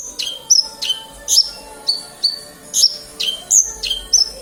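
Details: Horsfield's bush lark from Kediri, singing actively: sharp, high whistled chirps that drop steeply in pitch, given in a quick, uneven series about every half second, with a faint low hum behind.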